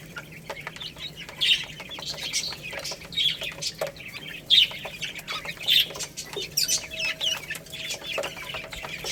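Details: Baby chickens eating rice give bright, shrill peeps every second or so over a background of soft pecking taps.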